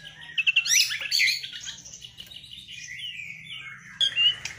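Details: White-rumped shama in showy fill-in song, performed with a bowing display: rapid high chattering twitters, then a quieter stretch of thin whistles and a final bright, sweeping whistled phrase.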